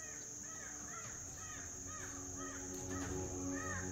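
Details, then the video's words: Crows mobbing a perched crested hawk-eagle at Amaramkavu, Kerala, caw harshly about twice a second, each note slightly arched and nasal, over a steady high insect hiss. "Crows are making too much noise."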